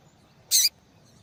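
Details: Calling female yellow-bellied seedeater giving one short, dense, high-pitched buzzy chirp lasting about a fifth of a second, with nothing else audible.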